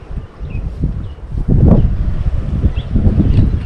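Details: Shearwaters on a wild lagoon islet in New Caledonia give low, groaning moans in uneven bursts roughly every second, deep and throaty, over a steady rustle of wind.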